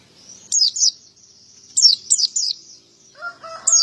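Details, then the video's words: Male white-eye singing actively, a wild-type clear-voiced singer. It gives high, sharply descending whistled chirps in quick pairs, then a softer thin trill, and ends with a lower, buzzy, harmonic call from another bird. "Burung pleci gacor jantan"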